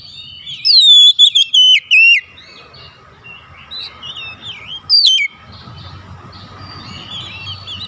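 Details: Oriental magpie-robin calling its companions, which reply: about six loud, descending whistled notes between one and two seconds, quieter chatter, then a single sharp whistle near five seconds with background rumble.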